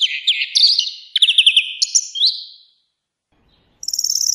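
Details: Twittering song of a European greenfinch in nature: quick chirped notes slur into a rattling trill and a rising note, then silence, then a high thin trill at the end.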